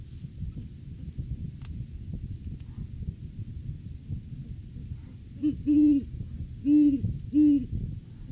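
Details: Great horned owls at the nest tree in January courting season, recorded by a live cam. After several seconds of low rumbling, a series of three deep, mellow hoots follows, each short with the last slightly drawn out.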